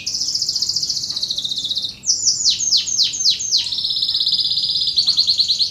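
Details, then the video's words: Canary song used as lure and training audio for contest birds and young birds: fast high trills around 4–6k, a run of steep descending swoops in the middle, then a long rapid rattle; no other sounds. "SUARA BURUNG KENARI | PANCINGAN DAN MASTERAN BURUNG KENARI KONTES DAN BAKALAN"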